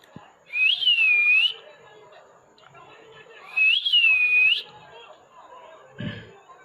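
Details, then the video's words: A male plum-headed parakeet whistling: two clear, high whistles, each rising sharply, then dipping and swinging back up, about three seconds apart, with faint room sounds between. "Indian Parrot Talking"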